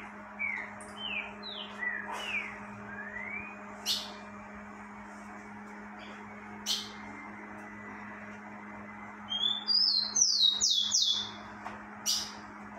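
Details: Rufous-collared sparrow singing heavily in breeding season: scattered slurred whistles and clicks, then around ten seconds in a sweet introductory note leading into a fast, high, descending trill, over a steady low electrical hum.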